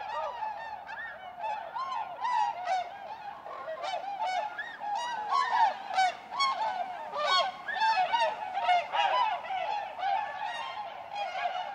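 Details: Large gathering of tundra swans back in spring at Goose Pond, Columbia County, south-central Wisconsin, USA, March 2016, giving loud, overlapping honking and whooping calls, continuous and irregular, with many birds calling at once.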